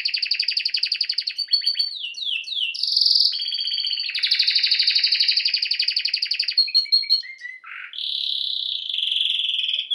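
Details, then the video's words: Canary song used as training song for birds: long fast rattling trills shifting between pitches, a few swooping slurred notes, and a low dipping note before a final steady high trill. "Bird song | Canary singing| training bird"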